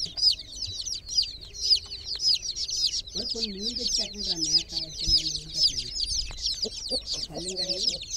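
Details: Chicken chicks in a water pool give a steady wash of piping, descending peeps, while a human voice talks over the second half.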